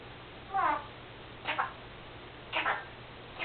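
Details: Indoor pet Senegal parrot, a female that imitates her owner sneezing; four soft, harmonic, slightly descending call notes about one second apart, faint against steady room noise.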